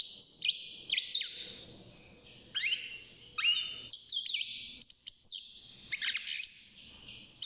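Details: Caged juvenile European goldfinch at six months, early in its singing, gives bright twittering phrases with sharp downslurred notes and buzzy rattles, phrases in bursts about every second, over a soft background hum.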